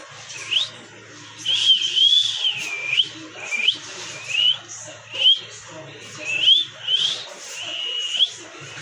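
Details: Pet talking parrot calling in a regular run of clear whistled notes, each a quick upward or wavering sweep, repeated roughly every three-quarters of a second with short gaps and a soft low hum underneath.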